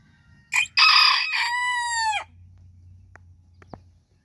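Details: Backyard bantam rooster crowing while hens dust bathe nearby: two short harsh opening bursts, then a long sustained harmonic note that ends in a downward slur, followed by faint low background hum and a couple of clicks.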